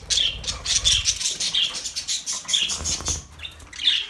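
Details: Budgies kept as pets chattering with rapid high chirps and scratchy twitters, dense at first, thinning to a few spaced calls, soft rustling underneath.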